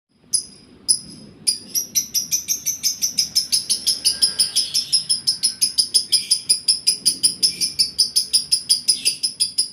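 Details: Lovebird in breeding condition, calling indoors: a fast, sharp series of high chirps, about three per second, rising into a steady rapid rhythm after a few opening notes.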